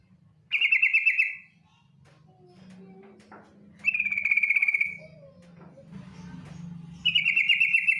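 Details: Trilling calls of a female yellow-vented bulbul directed at the male: three fast-pulsed buzzy bursts about three seconds apart, with a steady low hum and faint softer notes in between.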